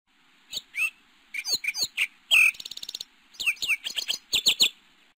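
A sparrow gives a quick run of bright, sharp chirps, some swooping down in pitch, with a brief rattling trill midway; nothing else is heard.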